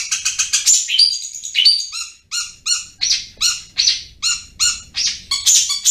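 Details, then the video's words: Long-tailed shrike (cendet) singing full gacor in the ngriwik style. Rhythmic run of sharp, high chattering notes with stacked overtones, repeated about twice a second, each note starting with a downward stroke. Faint low hum beneath. "Cendet Full Gacor Ngriwik"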